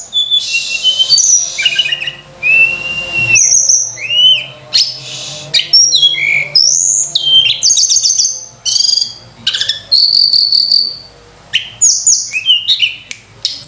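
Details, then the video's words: Sunda robin sings a rich, varied run of high whistles, slurred up-and-down notes and quick trills, broken by brief pauses, with nothing else intruding. "tledekan gunung gacor full isian mewah"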